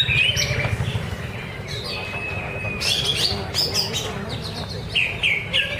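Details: Greater green leafbird singing at a Thursday practice contest at Danau Bumi Restu, Cikunir. A sustained level whistle is followed by bursts of high chirps and trilled, warbling notes, with a constant low rumble underneath.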